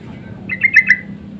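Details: Short insistent lure call of a sooty-headed bulbul, used to draw other bulbuls into answering: four quick, bright, slightly bubbly notes rising in loudness, over faint low background hum.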